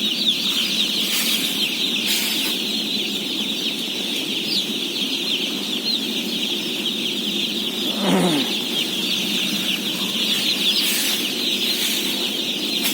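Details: Crowd of day-old chicks, around 17,000 birds, peeping nonstop during feeding, with repeated rustling or knocking bursts and a lower, descending sound about two-thirds through.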